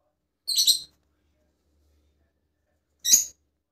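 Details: Rosella giving two short, bright chirps about two and a half seconds apart, with silence in between.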